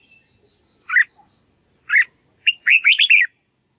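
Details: Red-whiskered bulbul (Pycnonotus jocosus) practising song, used to teach other bulbuls its voice: short, liquid whistled notes, then a quick rolling phrase of bubbly, slurred notes; faint high chirps behind.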